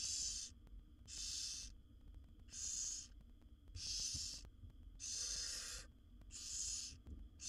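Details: Begging owlets of a wild barn owl, a brood of seven fed by the mother in a nest box, produce a run of seven rough snoring hisses, each under a second, repeated roughly every second.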